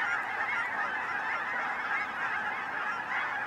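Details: Massed geese circling at Finley National Wildlife Refuge on 10/31/20, their many honks blending into a constant clamour with some individual calls standing out clearly.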